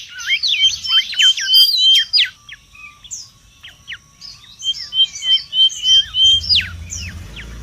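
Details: Mangrove whistler singing noisily in the wild, a recording used for luring and tutoring: fast bursts of twisting, chirpy notes and ringing level whistles, broken by short gaps, with a faint low rumble toward the end.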